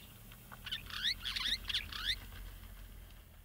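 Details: Burchell's starling in Kruger National Park, South Africa, gives a quick run of harsh, gurgling chatter notes, sliding up and down, lasting about a second and a half over a low background rumble.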